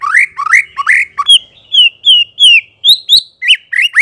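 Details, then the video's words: Lure song of the white-rumped shama for drawing answers: a continuous run of varied rising whistles, some low and upswept, others higher and sliding down, roughly three notes each second. "memikat MURAI BATU agar NYAUT dan NGEPLONG"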